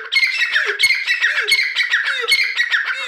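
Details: Rapid, continuous harsh calling of a grey francolin (Deccani teetar), loud squealing phrases repeated roughly every half second.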